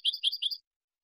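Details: European goldfinch, clean song for training juveniles and competition: three quick bright twittering bursts within half a second, then silence.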